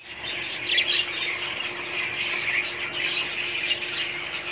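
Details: Budgerigars chattering together in a steady, dense wash of high scratchy warbles and chirps, with no clear breaks and a faint low electrical hum underneath.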